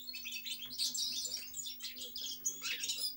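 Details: European goldfinch song: a dense run of bright, twittering notes and quick chirps, high-pitched and continuous, with a faint steady low hum underneath.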